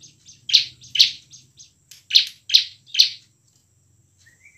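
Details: Bar-winged prinia singing hard in ngebren and nembak style to provoke quiet birds: five loud, harsh buzzy notes spaced about half a second apart, then a thin faint whistle.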